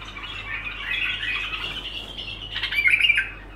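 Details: Bulbul keeps up an unbroken stream of scratchy, squawking song that builds to a louder chattering flourish near the end, with a steady low hum behind it.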